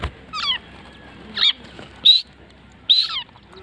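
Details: Mid-age grey francolin (teetar) calling: a few short, sharp ringing notes high in pitch, some with quick falling tails, separated by pauses of about half a second to a second.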